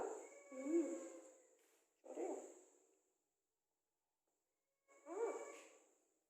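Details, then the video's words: Talking parrot meeting someone for the first time indoors, giving three short, hoarse, voice-like phrases with harmonic, wavering tones, the last after a pause of about two seconds; a steady high hiss runs throughout. "Titu Talking Parrot"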